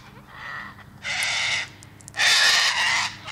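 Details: Cockatoo giving two loud, harsh, broadband screeches after a fainter opening call, each burst about half a second long, with a low steady hum underneath.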